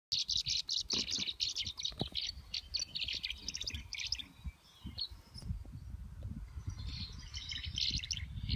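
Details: Large flock of tree swallows converging on 19 August 2015 at Parker River National Wildlife Refuge, Plum Island, Massachusetts, in dense, continuous high liquid twitters and chirps with a lull midway, mixed with app playback of calls, over wind or handling rumble.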